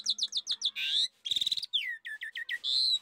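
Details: Lure song of an Asian pied starling: a quick series of short descending whistles, harsh buzzy bursts, then more repeated downslurred notes and a drawn-out grating note, loud and clean.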